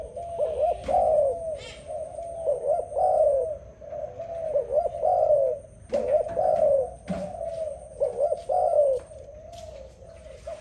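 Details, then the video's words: A dove coos in soft, low, rolling phrases, each a throaty hoo repeated about every two seconds; a faint thin tone and a few clicks sound in the background. "Sound dove singing, Lovely dove Singing so beautiful"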